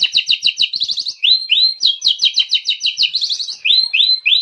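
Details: Oriental magpie-robin song with lavish mimicked phrases, used to lure and train other birds: fast rattling series of double high notes broken by rising swooped whistles, repeated about three times per second.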